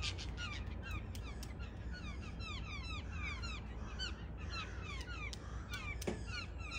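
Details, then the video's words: Early-morning chorus from a family of six blue jays expecting peanuts, crows also present: many quick downslurred calls overlapping in busy succession, with a few sharp clicks and constant low rumble underneath. "Bird Song early Morn with my Blue Jays"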